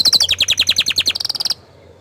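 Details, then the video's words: Orange frost canary producing a quick series of loud, slurred chirps that speed up into a high rapid trill, then stop abruptly. "Kenari Oren Frost ini Ingin Menunjukan Kicauan nya yang Mantul"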